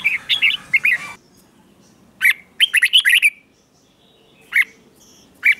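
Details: Caged red-whiskered bulbul in morning song training: bursts of bright, warbling whistled notes, then a pause, then clipped chirpy phrases and single sharp notes spaced about a second apart.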